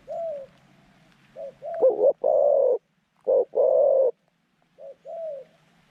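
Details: Decoy zebra dove calling wild doves toward a trap: soft falling coos, a short stuttered note, then long buzzy rolling coos in a steady mid-pitched phrase.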